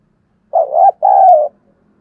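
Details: Decoy spotted dove giving one soft two-part coo: a wavering hollow note that rises at its end, a brief gap, then a longer, steady, slightly falling coo.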